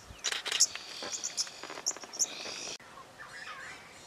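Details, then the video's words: Several oxpeckers on a giraffe call as a chorus: sharp, high chirps and hissy notes in quick, irregular, overlapping bursts, then fading to a faint background hiss. "Oxpecker Choir"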